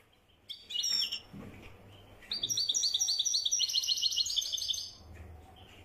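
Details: European goldfinch singing in the style called widani: a few short twittering notes, then from about two seconds a fast run of high, tinkling, buzzy trilled notes repeated rapidly for nearly three seconds before stopping.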